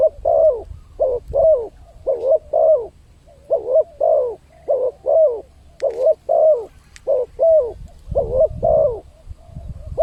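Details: Spotted dove lure sound for attracting wild birds: paired, hollow coos in a long sequence of about sixteen notes, a short pause near the third second, faint clicks and a low rumble late on.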